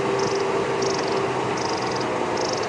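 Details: A long-billed crombec alarm-calls on a sunset safari drive on 27 February 2016, giving a high, dry trill about four times, about every three-quarters of a second, over vehicle engine hum. No source was seen; a snake is suspected, and impala nearby were relaxed.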